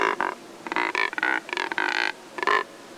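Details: Neotropic cormorants in a group of about fifteen at Lake San Pablo, Otavalo, Imbabura, Ecuador, drying in the sun and resting, some pecking and pushing; hoarse, harmonic croaking notes in rapid bursts, several overlapping.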